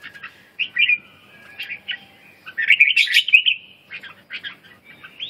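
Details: Red-whiskered bulbul giving loud, clear warbling phrases: rolling, slurred whistles that swell into a rich burst near the middle, then shorter chirpy notes ending on a rising whistle.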